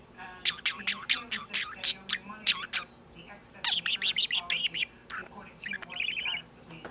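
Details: Pet bird singing during an on-and-off bout of song and dance. A run of loud, sharp clicking notes is followed by a busy stretch of rapid warbled chirps and trills.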